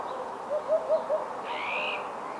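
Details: Eurasian hoopoe in Portugal's Ria Formosa Natural Park during winter, December 2011, giving a quick run of four soft, low hooting notes, followed by a higher drawn-out call from another bird over a hissy background.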